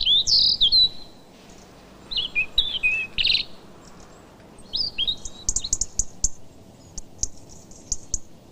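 European robins trading high, thin warbled phrases with tumbling trills, separate bursts answering one another a second or so apart, over a quiet background.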